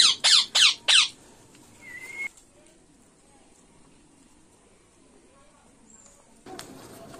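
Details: Four strident, raspy squawks from an Indian ringneck parakeet, repeated about every third of a second, then a short whistled note and near silence with faint room noise.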